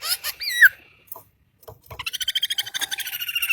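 A bird sings a short curving whistle, then after a pause a fast run of high, buzzy repeated notes, about eight per second.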